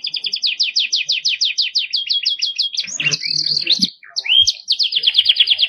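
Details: Clear canary training song in the 'cengkok mewah' style: a long chain of quick falling chirps, then drawn-out whistles and a sweeping upslur, followed by a renewed rapid trill.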